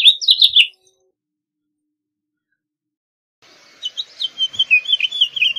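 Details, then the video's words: House finch song: a brief burst of warbled notes at the start, then a long silence, then a faint, rapid twittering run of scratchy notes set against a light hiss. "House Finch Song! House Finch Call! House Finch Sound! House Finch Singing! House Finch Calling!"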